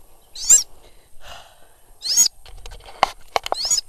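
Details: Sulawesi goshawk used for hawking, calling during a hunt: three harsh, wavering screams about a second and a half apart, mixed with rustling and a few sharp clicks or taps.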